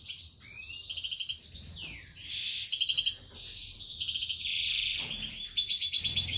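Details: European goldfinch of the Major type, a Brown Whitehead split Isabellpastell x Isabellpastell colour mutation, sings a fast, dense twittering song of bright trills, short buzzy bursts and sliding whistles, with barely a pause.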